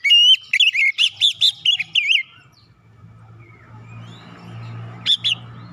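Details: Oriental magpie-robin singing to provoke other birds into singing: a fast burst of loud, rich whistled notes swooping up and down, about ten in two seconds, then a quiet hum and one more short whistled phrase.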